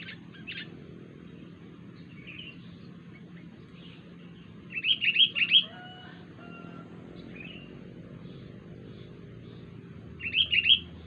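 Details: Strange call of a wild sooty-headed bulbul: two bursts of quick, bubbly warbled notes several seconds apart, with a rooster's drawn-out crow between them and a low steady hum beneath.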